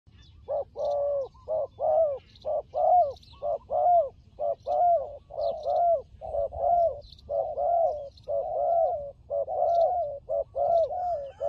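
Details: Turtle dove calling in a fighting context, a steady run of low, slightly arched coos repeated about once a second, each with a short rising-falling contour, over quiet low background rumble with faint higher chirps.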